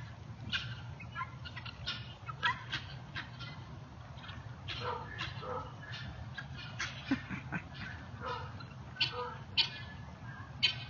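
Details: Neighbourhood guineafowl, loud birds, keep up a busy flurry of harsh, clipped, overlapping notes from several birds, with a steady low hum underneath.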